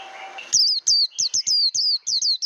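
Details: Japanese white-eye singing for voice training; a faint steady hum gives way to loud, high whistled notes that sweep down then flatten, repeated in quick succession.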